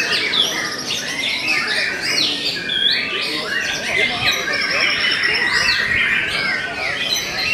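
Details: Murai Batu Belanda white-rumped shama singing steadily: a rich, crowded series of whistled phrases, rapid chirps and trills, running without pause at an even volume.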